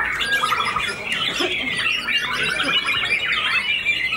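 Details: Contest-winning white-rumped shama with white tail feathers, newly finished moulting, in aggressive fighter song: fast, bright twittering and whistled phrases stacked densely, with a short rattling trill near the start.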